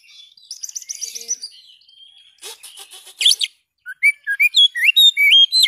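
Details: Kacer, the Oriental magpie-robin, sings for songbird training: soft buzzy trills at first, then a harsh burst, then a bright run of stepped, rising whistles repeated quickly.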